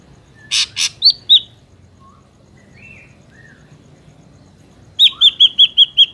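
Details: Ashy drongo song for lure trapping: harsh rasps and slurred whistles, a few soft lower whistles, then a fast string of six clear, ringing notes at the end.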